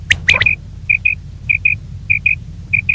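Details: Female common quail, morning: a couple of sharp clicks, then clear high whistled notes in evenly spaced pairs, about one pair every half second, over a faint low hum.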